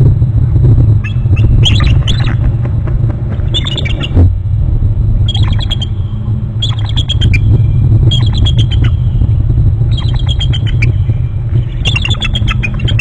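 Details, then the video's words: Two eagles on their territory at Hornby Island, calling a lot: series of high, thin, rapid piping notes in bursts about every two seconds, over a heavy constant low rumble of wind or vehicle noise. "both eagles off bst to gregg's' lots of calling"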